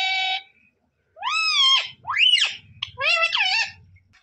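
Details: Indoor talking parrot imitating words: a flat harsh note, then several loud arching, voice-like squawked syllables that sweep up and fall, with a low murmur of music underneath.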